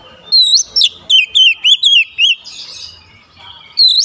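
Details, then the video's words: Oriental magpie-robin singing with beak wide open, a hot, sharp volley of looping whistled notes about four per second, a brief hissing rasp midway, then another bright rising whistle. "KICAUAN KACER BUKA PARUH LEBAR TEMBAKAN PEDAS"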